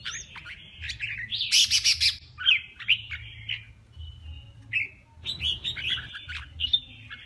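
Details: Competitive song of a male red-whiskered bulbul, aimed at rousing other males: dipping whistles, a loud harsh buzzing stretch, varied warbled phrases, another rough burst, then bright chirps, above a low hum.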